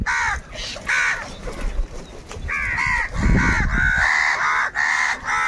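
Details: Crows fighting for food, calling loudly; harsh nasal caws repeated rapidly in overlapping runs, with rustling and thumping noise partway through.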